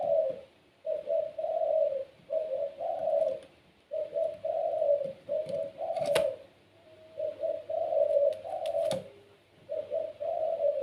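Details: Caged gacor puter pelung dove cooing continuously in low mellow phrases, short notes followed by longer rolls, repeated every couple of seconds, with occasional sharp clicks.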